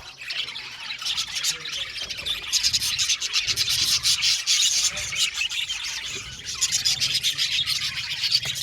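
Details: Budgerigars from an aviary colony chatter nonstop in a dense, high chirping wash, with rapid overlapping squeaks and twitters and no pauses.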